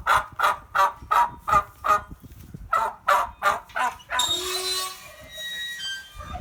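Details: Turkeys at a farm animal refuge give a fast run of rattling gobbles, about three per second, before the calls stop and a bright jingle of wind chimes, hung as daily enrichment for the birds, takes over.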